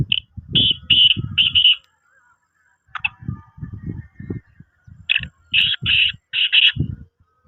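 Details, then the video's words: Black francolin calls from a mix meant to excite francolins and draw them in quickly: clusters of short, harsh, high notes in rapid groups of three to four, separated by pauses, over low thumping knocks. "کالا تیتر کو مستی میں لگانے اور جلد بلانے والی مکس آ وازیں"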